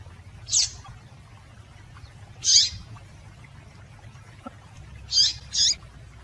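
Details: Sharp high-pitched chips from a female Double-collared seedeater, a call used to encourage male song: two widely spaced single notes followed by a close pair near the end, over faint low hum.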